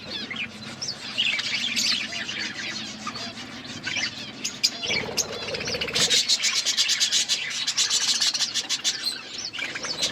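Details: Several budgerigars feeding and chattering: a steady stream of high, squeaky warbled chirps, joined in the second half by rapid, even clicking or tapping, likely from pecking at food, under a faint background rumble.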